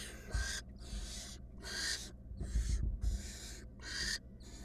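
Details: Wild female barn owl at a nest box, in a confrontation with her mate or an intruder, gives loud, breathy hissing screeches, about six rasping bursts each roughly half a second long, with low knocks and shuffling beneath.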